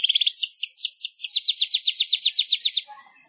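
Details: Manyar weaver singing, recorded for training songbirds: one fast, even trill of sharp, scratchy down-slurred notes, about seven per second, lasting nearly three seconds and then fading away.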